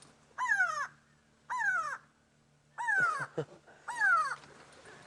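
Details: Grey go-away-bird screaming above a safari vehicle on an afternoon drive, sounding upset, its call like 'go away'; four harsh, nasal, downward-sliding calls about a second apart, with a low engine hum beneath.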